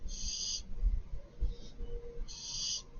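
A young barn owl gives two long, harsh rasping hisses about two seconds apart, with a fainter one between them, over low rumbling background noise.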